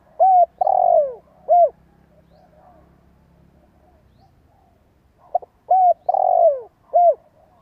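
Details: Spotted dove decoy cooing, two phrases about five seconds apart. Each runs arched coo, long rough descending coo, arched coo, low and hollow, over a quiet hum.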